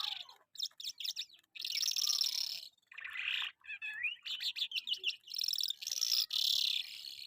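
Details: In Karachi, a lark called Jal Afghani gives a rich, continuous warble of quick slurred whistles, buzzy trills and sharp chirps, with a few short silent gaps between the phrases.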